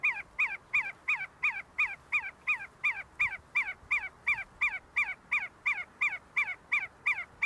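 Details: On the University of Sulaimani campus in Kurdistan, a flock of see-see partridges foraging and fighting: a rapid, highly regular string of thin downslurred whistles, roughly three each second, without pause.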